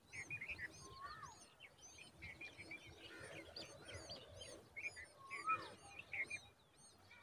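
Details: Common babbler chicks in a dense tree give a busy chorus of high, thin chirps and squeaky notes, overlapping at a quick pace, over a steady background hiss.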